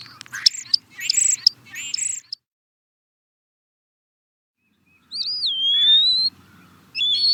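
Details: European starling song in two parts: squeaky rattling notes over two seconds, a silent gap, then a long drawn-out whistle sliding down and leveling off, followed by another whistled phrase.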